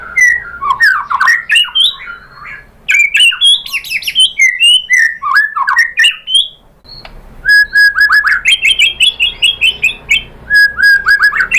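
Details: Rich, loud song of a white-rumped shama, meant to provoke other birds to sing: tumbling varied whistles and chatter, a brief pause, then rapid repeated rising notes in a steady stream with high ticks.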